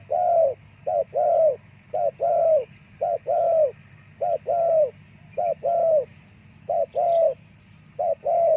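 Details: Spotted dove, the terkukur, used to call forest birds: steady series of paired coos, a short note then a longer falling one, repeated roughly once a second throughout, with a faint low hum beneath.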